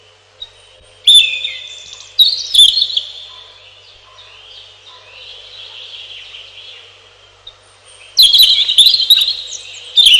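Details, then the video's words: Robin delivering three separate phrases of high, fast, sparkling notes spaced by several seconds of quieter faint warbling and a steady background hum. "1 Hour Robin Bird"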